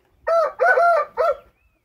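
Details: Short crow of a speckled Índio rooster from Paraná, Brazil: three loud harmonic bursts in about 1.2 seconds, the middle one longest, ending abruptly in silence.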